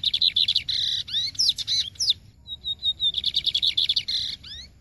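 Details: Lined seedeater singing in the Maranhão song style: rapid, buzzy trilled phrases of repeated notes with upward-sweeping whistles, pausing for a short series of clear piping notes before the trill resumes.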